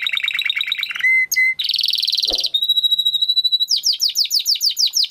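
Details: Training song of a Timbrado canary, moving through several tours: a quick pulsed chatter, clear level whistles, a dense buzzy roll, a long thin steady whistle, and finally rapid falling notes in quick succession.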